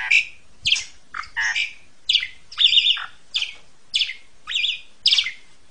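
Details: Asian pied starling in a ngentrok therapy recording meant to startle kept magpie robins, giving harsh, raspy squawking notes with some fluty elements, in spaced bursts roughly every half second.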